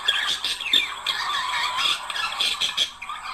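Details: Pair of budgerigars warbling, sound intended to stimulate mating: continuous dense chatter of squeaky chirps, grating notes and brief whistles, loud and fairly even.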